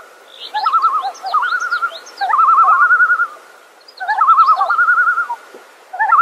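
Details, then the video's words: Common loon giving quavering, rapidly wavering calls in bursts of one to two seconds, with thin high chirps from other birds above. "Suara Burung,Bird Song Common Loon or great northern diver (Gavia immer)"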